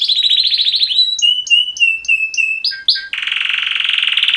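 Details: Male canaries, two birds, mating-call song: a fast trill, a series of clear repeated whistled notes, then a sustained harsh buzzy rattle to the end.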